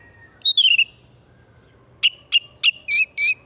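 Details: Oriental magpie-robin, a lure recording for stimulating singing, in a vigorous 'pesona hutan murni' style: a slurred, falling whistle, a pause, then five sharp whistled notes about every third of a second, the last ones richer and buzzier.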